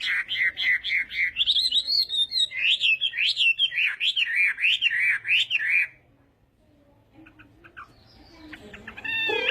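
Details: Chinese hwamei singing in a morning voice-practice session, a loud run of repeated whistled notes that rise and fall, looping quickly for about six seconds, then near silence with faint scattered chirps and a rough harsh burst at the end.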